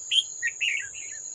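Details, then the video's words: Wild old red-whiskered bulbul come to fight a decoy at a trap, recorded 18 July 2024: a loud run of bright, slurred chirps, rising then falling, with a thin high insect whine running behind. "Bẫy Chào Mào Già Rừng Quá Khung Không Về Đánh Con Mồi"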